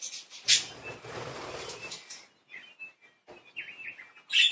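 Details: Pet budgerigars at play: a sharp chirp, then a stretch of rustling noise, followed by short warbled notes and a final loud scratchy chirp.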